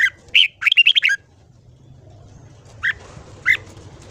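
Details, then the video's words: Morning song of a red-whiskered bulbul in ché style, meant to stimulate young birds to sing long: an energetic cluster of quick chirpy notes, followed by two spaced single notes over a faint background hum. "Luyện giọng chào mào hót sáng. Kích ché kích thích bổi giọng dài."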